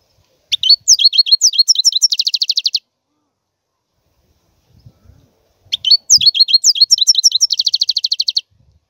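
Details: A European goldfinch gives two matching song phrases, each a quick series of twittered chirps flowing into a long rattling buzzy trill, with a silent gap of about three seconds between them.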